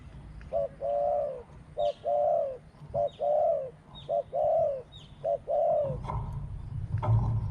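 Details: Spotted doves cooing in a "small voice, two kuk, constant khu-ang" style: soft, low, hollow coos in repeated phrases of a short note followed by a longer drawn-out one, about once per second, ending with rustling and bumps.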